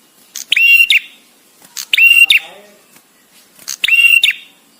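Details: ['Visiting male bar-winged prinia sings with pauses, for master training. Three loud, sharp, buzzy whistled notes come at regular intervals, separated by short silences.']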